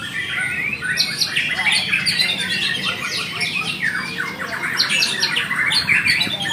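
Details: White-rumped shama singing at a contest, pouring out rapid, scratchy, chattering phrases mixed with sharp squawks and short whistles in continuous bursts, with more birds calling in the background and a faint low hum.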